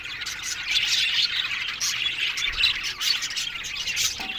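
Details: Colony of budgerigars kept in an aviary, busy overlapping chirping and short harsh squawks from many birds, forming an unbroken high chorus.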